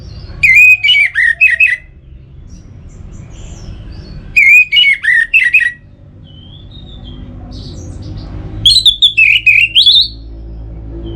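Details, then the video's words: Orange-headed thrush, a lure song for encouraging singing: three phrases about four seconds apart, each a choppy string of short wavering whistles, the last one pitched higher and rising. "Pemancing Burung ANIS MERAH Agar Selalu Gacor"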